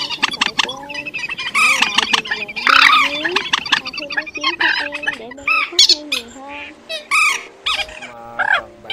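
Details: Mixed lure recording of migratory birds named trích ré, quốc biển and mốc, for net trapping at night in March and August 2024: harsh squawks and clicking trills, loud rasping bursts, then spaced piercing arched calls.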